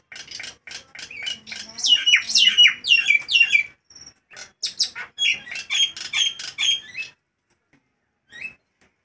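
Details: Captive Nias hill myna singing loudly in hot weather: bursts of harsh, chattering notes and descending whistled phrases, repeated in quick rhythm, pausing between outbursts.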